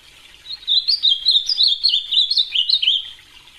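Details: Ultramarine grosbeak singing a clear, fast warbling phrase of high whistled notes that rise and fall for about two and a half seconds, then stops; no other sounds.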